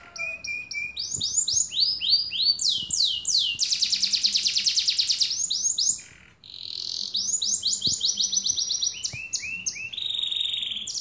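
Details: Caged canary in extended song: clipped high notes and falling whistles, a long dense buzzing roll, a brief pause, then renewed rapid swept notes.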